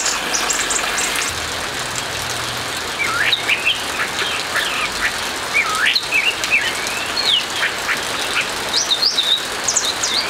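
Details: Captive orange-headed thrush singing in the morning, rich, varied whistled phrases with quick slurred notes, over a steady hiss of rain.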